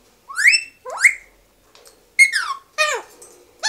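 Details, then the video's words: A pet Alexandrine parakeet whistling: five loud, rising and falling whistles with rich harmonics, spaced irregularly over a few seconds in a quiet room. "Funny Whistling Adventures"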